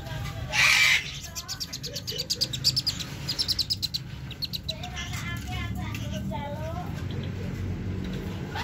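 A young sun conure gives a harsh screech, then rapid, repeated high chirps and squeaky notes.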